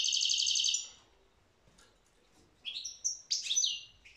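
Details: European goldfinch ending a buzzy rattling trill, then a quiet gap before sharp twittering whistles and liquid chirps resume.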